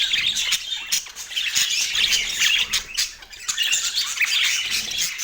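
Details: Pet parakeets chattering while fed on an autumn morning, a lively stream of high chirps and harsh squawks with brief dips in loudness.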